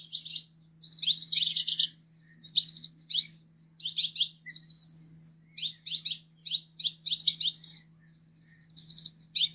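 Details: Green-headed tanager song: very high, thin, buzzy bursts of rapid trills and sibilant notes, in phrases of about one second separated by brief pauses, over a faint steady low hum.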